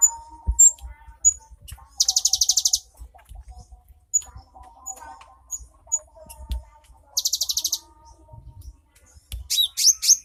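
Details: Cinereous tit, recorded 3 April 2023: two separate rapid buzzy trills several seconds apart, scattered short high chips between them, a constant low hum, and sweeping whistled notes near the end.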